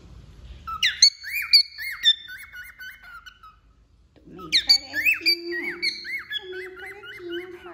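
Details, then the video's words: A moulting wild-type male cockatiel sings two whistled phrases split by a pause: rapid stepped notes with hooked upsweeps, the second phrase joined by a lower steady tone. "Calopsita Macho Silvestre Cantando"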